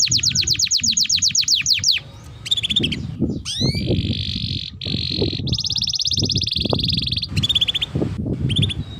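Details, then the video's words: Canary song for training young canaries: a fast run of falling notes, then broken chirps, rising whistles and buzzy trills against noticeable low-pitched background noise. "Pancingan Burung KENARI Gacor Panjang || Masteran Kenari Paud"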